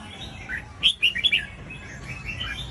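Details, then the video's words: Brief red-whiskered bulbul phrase, played to stimulate other bulbuls to sing; soft opening notes, then a fast sequence of four bright, ringing whistled chirps and a faint warbling tail. "GIỌNG CHÀO MÀO HÓT _ KÍCH CHÀO MÀO HÓT"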